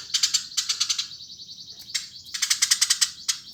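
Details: Eurasian tree sparrow singing lively: bursts of fast, harsh, metallic chirps repeated in quick rattling runs, broken by short pauses and a few single sharp notes, with no other clear sounds.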